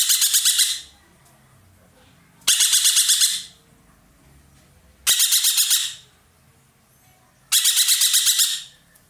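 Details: Roller, known locally as ekek keling, a loud-voiced bird kept by Indonesian bird hobbyists as a tutor bird, calling intensely: four harsh, buzzy bursts of rapid pulses, each under a second, repeated about every two and a half seconds.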